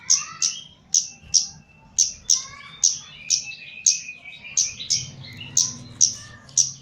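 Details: Lively gacor singing from a trained caged Javan Chestnut-capped laughingthrush: a regular series of sharp high chips, roughly two per second, mixed with brief warbled whistles at lower pitch, and soft low humming behind.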